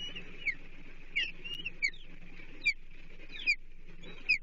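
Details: Chesapeake nest osprey, July 2023, as half a blueback herring is brought in; sharp high descending chirps spaced roughly every second, over constant low hum.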